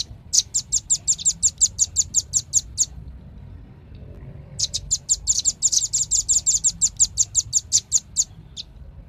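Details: Two long volleys of shrill, rapid chips from a velvet-fronted nuthatch, the first around fourteen notes, the second around twenty, divided by a quiet gap of nearly two seconds.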